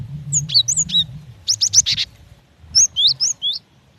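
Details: Calling female cinereous tit seeking the male: high, down-slurred chirps in three groups, the middle one a fast, harsher rattle of notes, over a low droning background.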